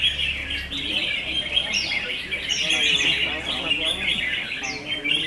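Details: Competing red-whiskered bulbuls during a singing contest produce an unbroken flow of lively, tumbling chirps and rising whistled notes, with a low hum at the start and people audible faintly underneath.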